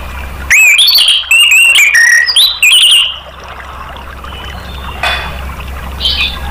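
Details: Caged orange-headed thrush singing as a prompting track for other birds: a dense burst of varied whistled notes, warbles and sharp clicks for about three seconds, then quieter scattered notes over steady low hum.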